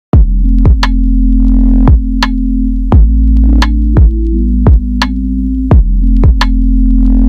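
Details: Electronic music with a thumping drum-machine beat and sustained low synthesizer tones, and no animal sound.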